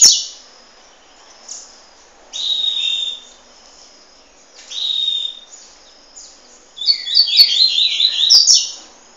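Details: Juvenile double-collared seedeater at Peruíbe, Brazil, giving high, thin, buzzy notes that slur downward, in short bursts every two seconds or so, ending in a rapid cluster of overlapping chirps.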